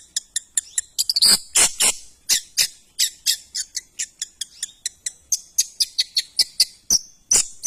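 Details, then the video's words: Shrike (cendet) song of rapid, high, dry clicks interspersed with scratchy squeaky bursts and a brief thin whistled note near the end. "Suara burung cendet The sound of shrike"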